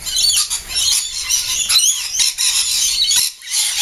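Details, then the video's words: Every morning for about ten minutes, a dense flock of lorikeets screeches and chatters in a frenzy of shrill, almost unbroken overlapping calls outdoors, before flying off into the trees to sip nectar from flowers. "Lorikeet frenzy"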